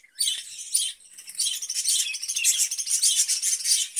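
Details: Caged budgerigar: two sharp chirps open, then a steady rattling stream of fast, scratchy chatter and high squeaks.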